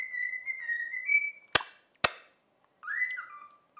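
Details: Trained cockatiel whistling part of "If You're Happy and You Know It": a sustained steady whistle edging upward, two loud sharp clicks, a pause, then a rising whistle falling away to a lower tone.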